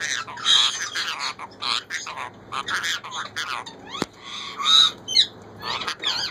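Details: Female Indian ringneck parakeet kept by a breeder, talking to ask for bread ("roti dedo"); run-together nasal, scratchy syllables with uneven loudness, a single sharp click midway, and a steady low hum.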